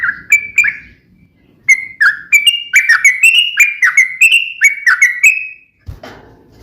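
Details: A sooty-headed bulbul sings a sharp fighting song that provokes other bulbuls to respond. Opening whistles are followed by a short pause, then a rapid series of stepped, rising-and-falling whistled notes, ending with a brief thump.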